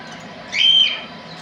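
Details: Parrot call: a single clear whistled note, briefly rising and held, over steady background hiss.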